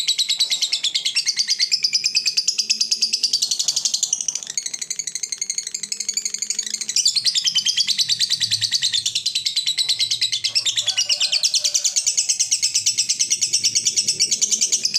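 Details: A fighter lovebird gives a long, unbroken, shrill chattering trill, rapid and buzzy, with only a brief softer dip midway; faint low sounds sit beneath. It is used to provoke rival birds into calling.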